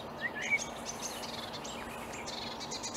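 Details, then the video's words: Marsh warbler singing in reeds on an early May morning in 2020 at Upplands Väsby, Sweden; quiet, fast, varied chattering phrases of short whistles, trills and scratchy notes run continuously over a soft background hiss. "Marsh warbler (Kärrsångare) i Upplands Väsby maj 2020"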